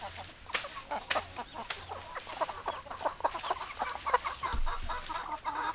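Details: Chickens, hens clucking and roosters crowing: dense overlapping clucks and short calls from a flock, some louder sharp notes, with steady low hum underneath.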